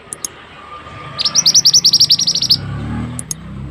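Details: Pied bushchat (mantenan) for masteran training: a single burst of a dozen quick, high, ringing notes lasting about a second and a half, with a few faint ticks before and after over low rumble.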